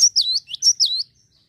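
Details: Java sparrow, calling to prompt other birds to sing: two quick pairs of high, sliding chirps in just over a second against a clean, quiet background.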